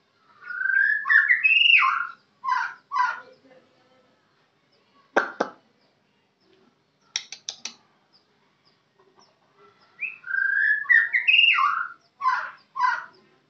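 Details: Kenyir white-rumped shama sings melodious slurred whistled phrases mixed with sharp clicking notes, separated by pauses, then a similar whistled phrase repeats near the end.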